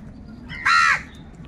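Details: Crow giving a single harsh, broad caw lasting about a third of a second, loud against a quiet low background hum, recorded among crows fighting for food.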